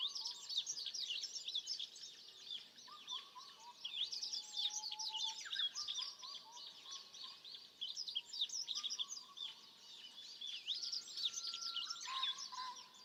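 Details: Forest birds singing in Gotjawal woodland on Jeju: a busy layer of high, rapid twitters and chirps over several long, level whistled notes that start and stop, plus a brief falling call near the end.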